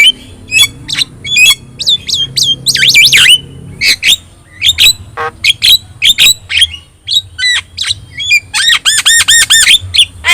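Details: Javan myna (jalak kebo), yellow-eyed and very chatty, singing as a tutor for other birds: repeated sharp whistled notes, rasping squawks and a long series of rhythmic, looping whistles near the end.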